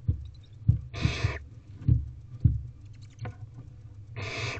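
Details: Begging Barn owl owlets in an owl box, fed by their parents on an April evening in 2023 at 8:05 pm; two long rasping hiss-screeches between soft thumps and shuffling knocks.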